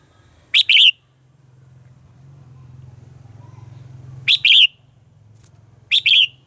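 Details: Red-whiskered bulbul singing its mature wild-style morning song, a lure for training caged birds: three brief, bright, warbled two-note phrases spaced a few seconds apart over a low steady hum.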